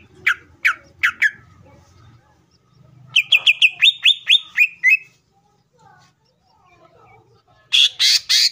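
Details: Fierce greater green leafbird song used as a provocation for other leafbirds: scattered sharp chirps, then a fast string of about eleven clipped whistled notes, silence, and a final burst of harsh squawks.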